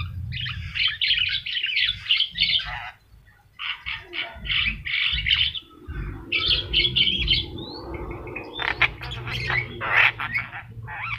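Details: Master recording of a yellow-eyed Javan myna in vigorous song: clusters of rapid scratchy chirps and squawks in bursts separated by short gaps, with a low hum throughout.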